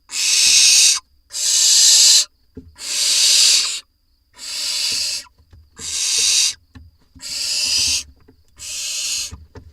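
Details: Barn owl nestlings in a nest box in Israel, filmed on 4 July 2021 as parents deliver two voles within two minutes: loud, long, harsh hissing screeches, each about a second, repeated with short gaps.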